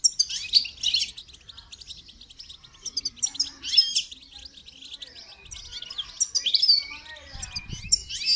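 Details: Goldfinch singing during training: fast, high, tinkling twitters and rapid chirp series, rising and falling in bursts throughout, with faint low rustling at the end.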